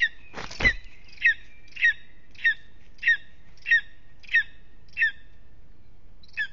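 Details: Lesser spotted eagle in an aspen nest at Aizkuja, Latvia, restless in the evening. A loud knock opens, then eight shrill, barking yelps follow at a steady pace of roughly one every 0.6 seconds.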